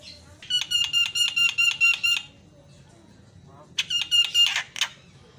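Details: Javan myna singing to rouse rival mynas: a rapid train of about eight evenly spaced, ringing metallic notes, a pause, then a shorter repeat of the same notes.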